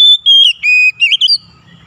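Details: Oriental magpie-robin (kacer) giving a short gacor phrase meant to trigger song in a silent bird: long clear whistles sliding downward, then quick twisting notes, ending in quiet.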